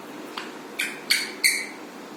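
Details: A pet Alexandrine parakeet gives three harsh, grating squawks about a third of a second apart, each with a buzzy falling tail, after a faint click.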